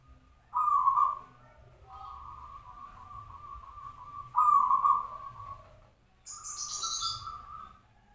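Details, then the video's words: A local zebra dove of the sarang tanah type sings in a layered double style; long steady cooing notes, each starting with a louder burst, then held, repeated about four times, with a brief high chirp near the end. "suara perkutut lokal, katuranggan sarang tanah gacor bersusun double"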